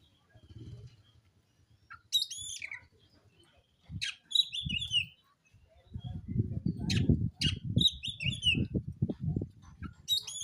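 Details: Black (wulung) oriental magpie-robin singing while seeking a rival to fight: short bursts of sharp, high whistled and chattering phrases with pauses between them, over loud low thumping and handling noise in the second half.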